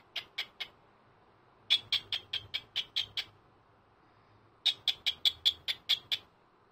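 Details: An elderly pet cockatiel's Sunday morning greeting: bursts of quick, clipped high chirps in groups of three to nine, separated by short silences, in a quiet room.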